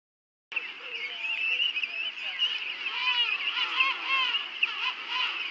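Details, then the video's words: Penguins at Fortuna Bay: a dense, continuous chorus of many birds calling at once, with overlapping wavering, trumpet-like and bleating notes forming a steady wall of sound. "Fortuna Bay Penguins and Sounds"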